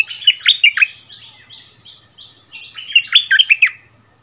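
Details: Bulbul song from a duel between a returned decoy bird and the resident territory holder, 3 February 2021; two loud bursts of rich, bubbling whistled notes, with softer buzzy phrases between them.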